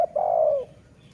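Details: Dove from a decoy-luring session: a single loud, low coo, drawn out and gently falling over about half a second, after a short clipped opening note, then quiet.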